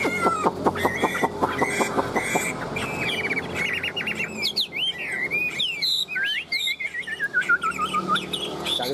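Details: Tame Chinese hwamei singing while carried by hand, opening with a fast series of repeated sharp notes, then breaking into loud, looping, fluty whistles that slide up and down in varied phrases, a man talking faintly beneath.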